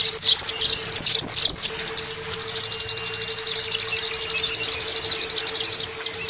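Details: Oriental white-eye song used as bait for caged birds to sing: a burst of loud high twitters, then a fast, evenly pulsing trill of tiny high notes repeating about four times a second, with a low steady hum.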